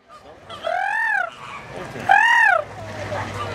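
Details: Crested screamers screeching in the Christmas season of 2013: two loud, harsh honking calls, each an arched note rising then falling, spaced about a second apart, over low background noise.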